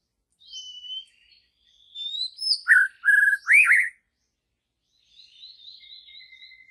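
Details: Wild white-rumped shama in jungle forest giving short whistled phrases, then three loud emphatic notes in quick succession, followed by a soft wavering high warble.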